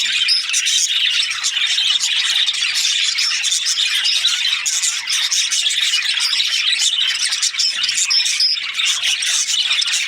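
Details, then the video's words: Australian budgies chirping, a constant high-pitched chatter of rapid overlapping chirps and squeaky notes from several birds. "Australian budgies chirping sounds"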